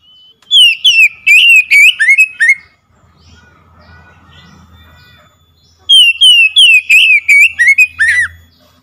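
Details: Oriental magpie-robin song played to trigger a silent bird into singing. A quick run of bright, chattering whistled notes is followed by a faint low hum and a pause, then another lively burst of sharp whistles.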